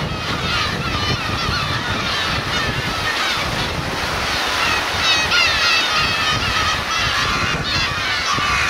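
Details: Black-tailed gulls, parents with chicks, on the Kurosaki coast of Teuri Island, Hokkaido, Japan, on 13 June 2021; many overlapping nasal mewing calls from a dense colony, constant and busy, over steady surf and wind.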